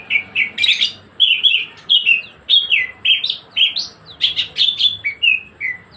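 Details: Greater green leafbird giving continuous 'gacor ngebren' song: a steady stream of bright, varied whistled phrases, many rising then falling, delivered almost without pause, with a soft background hum.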